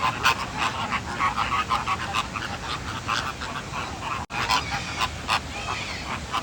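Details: Honking chorus of American flamingos in Singapore: overlapping nasal, goose-like calls from several birds, irregular and continuous, broken by a brief dropout midway, against steady background hiss.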